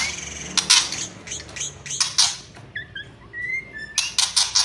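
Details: White-rumped shama (murai batu) kretekan and whistling: dense harsh rattling bursts at both ends, with clear rising whistled notes in the quieter middle.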